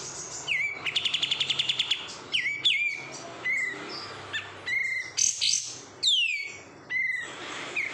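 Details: Oriental white-eye, called kapas tembak, kept caged after being taken from the wild, opens with a quick rattling trill of about ten notes, then sings spaced whistled slurs and thin high chirps.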